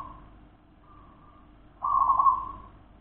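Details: Local wild zebra dove: soft, distant-sounding coo notes followed by one louder, rolling, vibrating coo near the end, with faint low hum behind.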